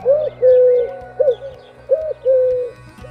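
Eurasian Collared Dove giving its low, three-part coo twice: a short note, a long drawn-out middle note, then a brief closing note. Faint music plays underneath.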